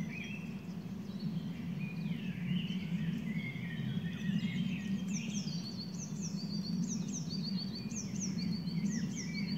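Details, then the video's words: Birds singing at Schloss Nymphenburg: several overlapping songs of high whistles and quick repeated down-slurred notes in short bursts, over a steady low rumble of distant background noise. "A minute of birdsong"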